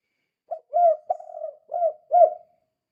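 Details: Spotted dove giving the lively 'kuk 2' call meant to lure other doves into calling: a brief opening note followed by four low, soft coos, the middle one drawn out and quavering, finishing in about two seconds against silence.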